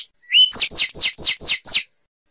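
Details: Short Zapata wren phrase from Cuban lowland scrub: a rising whistled note, then six loud, sharp, downslurred notes repeated about every fifth of a second.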